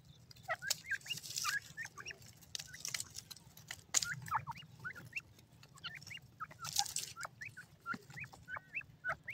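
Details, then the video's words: Grey francolin, the Indian desi teetar partridge, giving scattered short upswept call notes amid clicking and bursts of hiss, over a steady low hum. "indian teetar madi ke awaz"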